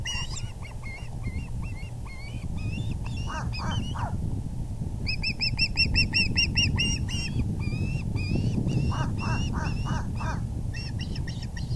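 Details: Osprey calling at the VGCC nest, 6:30pm EDT, April 6, 2020, as the male brings in a big fish: strings of bright, upward-inflected whistles with lower slurred notes between, over constant low wind noise.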